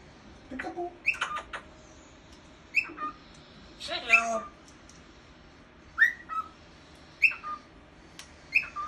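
A cockatiel sings short clear whistled phrases, bright and slurred, with brief chattery notes between them.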